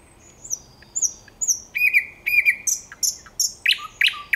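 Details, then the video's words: Thrush nightingale song on 9 August 2022. High, thin whistled notes open the phrase, followed by a run of clicking, repeated notes and strong, explosive notes that recur roughly every half second. "Słowik Szary"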